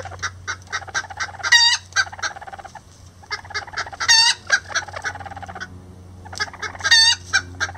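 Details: Rare Lavender bantam chickens, roosters helping a hen build a nest; quick repeated clucks in bursts, punctuated three times by loud upward-sweeping squawks, constant low hum in the background.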